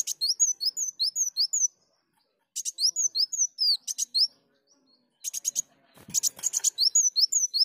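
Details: Sunbird lure song: fast strings of thin, down-slurred whistles alternating with dense buzzy trills, separated by short pauses, with a low knock in the middle.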